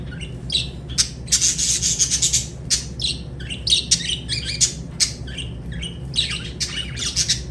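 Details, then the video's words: Lovebirds chirping and squawking in a dense, busy chorus: sharp high chirps and harsh broadband squawks in rapid clusters, with short pauses, over a steady low hum. "Lovebird Singing & Chirping Sounds"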